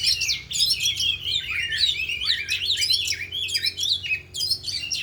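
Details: Four oriental magpie-robins singing in an afternoon training session, showing off their learned repertoire: dense, varied torrent of scratchy warbles, squeaky whistles and quick descending slurs, continuous and overlapping.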